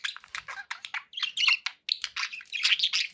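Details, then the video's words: Chattering pet budgies pour out a near-continuous stream of high chirps, clicks and warbled squeaks, with a couple of short pauses. "budgie sounds with background noise for relaxation"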